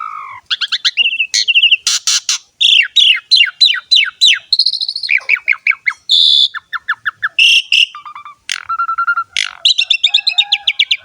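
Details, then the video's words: Asian pied starling in lively full song rich in varied phrases: series of quick downslurred whistles, sharp loud clicks, rattling trills, a short flat low whistle and bright chirps, delivered almost without pause. "KICAUAN BURUNG JALAK SUREN GACOR FULL ISIAN MEWAH"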